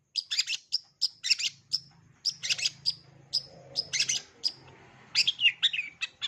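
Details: Cendet (long-tailed shrike) full 'isian' song, used as a learning model for young birds. Short bursts of scratchy notes and clipped high chips repeat roughly every half second, ending in a quick twisting warble.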